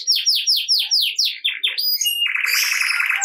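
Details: Canary song for prompting reluctant canaries: a series of about eight loud downslurred whistles repeated evenly, followed by a high thin note and a long, even buzzy trill.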